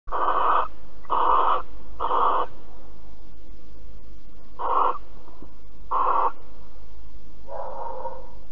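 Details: Barn owls cuddling at Alphen on 5 September 2019 at 09:46: harsh, hissing screech bursts, each about half a second, three in quick succession, then two more after a pause and a softer final one, over steady low hum.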